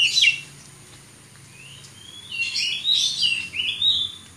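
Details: A champion kacer, or Oriental magpie-robin, released to fly free: a sharp high burst, a long quiet gap, a thin rising whistle, then loud clear whistled phrases that slur up and down in quick succession.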